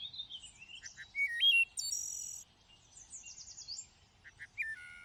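A thrush sings varied, clear whistled phrases with quick slurred notes and a few high, sustained tones, delivered in short bursts with brief pauses.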